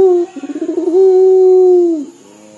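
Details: Local puter dove, noted for its weeping-like dor coo: a brief clear note, a stuttering series of quick pulses, then a long smooth coo lasting about a second that falls away, ending in a soft low hum.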